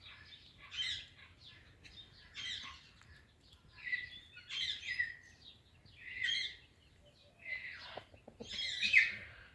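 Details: Pet ringneck parrot, talking, greets an Alexandrine parrot with six well-separated bursts of scratchy, chattering syllables spaced roughly every one and a half seconds, quiet gaps between, a few soft clicks near the end.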